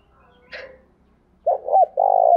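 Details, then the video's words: Spotted dove decoy calling in the morning to bring in males: after a brief rustle, a double note rises into a long low coo that is cut off at the end. "Tiếng chim cu gáy mồi gáy gọi, mở buổi sáng bổi và mồi xiêng gáy"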